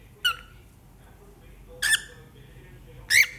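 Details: Three sharp, brief cockatiel squawks, shrill and ringing with strong overtones, the last one loudest, separated by gaps of over a second of near silence indoors.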